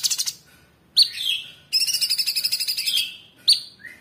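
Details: A cucak cungkok bulbul in full song pours out a loud, high, chattering song, sharp whistled notes sliding downward, then a fast run of repeated chips, with brief pauses between bursts; offered as a master song for training other songbirds.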